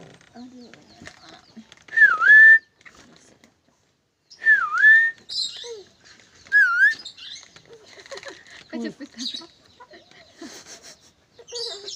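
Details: Clever lorikeet repeats a clear V-shaped whistle, falling then rising, three times a couple of seconds apart, between soft chattering squeaks and clicks.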